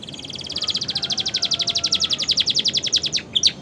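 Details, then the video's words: Canary singing with imitations of bar-winged prinia and sooty-headed tit: a fast, even trill of high chirps, about three or four a second, ending in a few sharper notes, over faint background hiss. "kenari romeo gacor isian prenjak ciblek"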